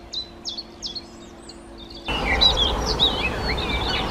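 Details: Common chiffchaff (Phylloscopus collybita), one of a set of Czech bird songs, gives high, clipped notes alternating in a steady chiff-chaff rhythm, about two per second; then noisier sound with other birds chirping takes over.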